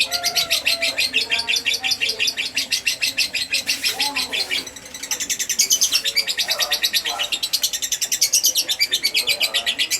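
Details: Rapid, high-pitched twittering from a fighter lovebird, played as a lure sound to provoke an answer, with a steady scratchy chatter that briefly softens midway before resuming louder and denser.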